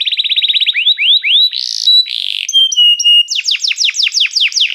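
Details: Canary singing to call other canaries into song, a training recording: a rapid trill of short notes, then rising slurs, a buzzy burst, steady pure whistles, and a closing run of quick downward sweeps.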